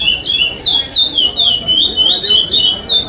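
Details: Chestnut-bellied seed finch (curió) at a state singing competition stage in 2021, song without repetition: a fast run of clear whistled slurred notes, rising then falling, about three to four per second, steady and loud.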